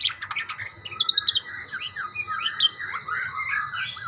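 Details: Budgerigars calling to each other in a soft, continuous warbling chatter, with squeaky rising and falling notes mixed with a few sharper high chirps.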